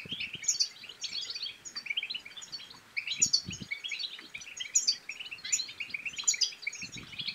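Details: European goldfinch song, a twittering style called bibtaba in Arabic, used to stir silent goldfinches to sing and mate. Dense, rapid, high chattering and tinkling trills flow almost without pause, with brighter bursts about every 1.5 seconds and faint low thumps.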